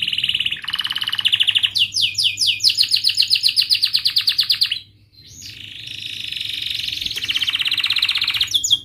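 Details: Canary song meant to coach young canaries, varied and sharp: shifting rapid trills, a series of quick down-slurred notes, a long rattling roll, a brief pause, then a rising slur and another steady rolling trill.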